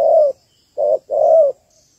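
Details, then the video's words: Female Malaysian-type spotted dove calling to rouse males, lure for ground trapping; a drawn-out falling coo, then a brief hoot and another long, smooth croon. "Cu gáy / cu gáy malaisia đấu cực sung/tekukur chim cu gáy đâu cực hay"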